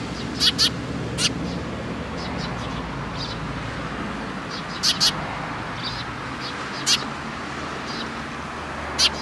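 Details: Sparrows gathering at food at a shrine on 10 October 2017: scattered sharp chirps in short bursts over steady broadband background noise.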